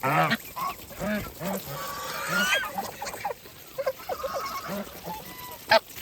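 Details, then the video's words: A farm flock of geese eating. Strong honks open the clip, followed by a string of shorter honks and rising squeaky notes, then a sharp loud call near the end. "Geese life with natural sound"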